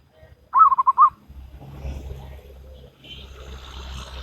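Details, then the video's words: Local wild zebra dove in salendro rhythm, one short, loud rolling phrase of five or six rapid coo pulses, followed by a steady low background hum and faint hiss. "Perkutut Lokal Alam Manggung Gayer Irama Salendro"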